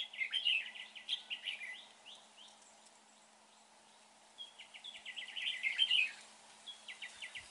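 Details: Red-whiskered bulbul, during bird trapping, described as having a fine voice: two bursts of rapid, chattering high notes in quick strokes, a pause of about two seconds between them, with a soft steady hum underneath.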